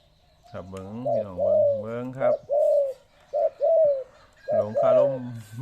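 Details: Caged spotted dove whose coo is described as broken (แตก) all the time: a rich, deep phrase of several rolling, buzzy coos with a break in the middle, then further coos, with a person speaking softly nearby.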